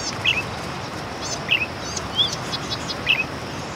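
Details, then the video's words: Bright-headed cisticola call: brief high chipped notes, a few with a quick downward slur, spaced every half second to a second and a half, against constant hissing environmental noise. "黃頭扇尾鶯叫聲 bright-headed cisticola's call"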